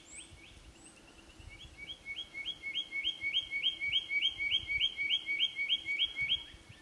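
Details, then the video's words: A male Spotted Quail-thrush whistling from a tree in Brisbane Ranges National Park, October 11th 2020, replying to another male nearby: a quick, even run of about fifteen thin, high notes swelling in loudness, a third bird's fainter high whistles at the start. "Spotted Quail-thrush calling"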